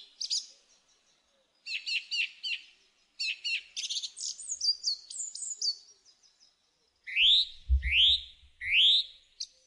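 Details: Singing song thrush delivering bright, varied phrases, several repeated two or three times, finishing with three loud rising whistles over a brief low thump.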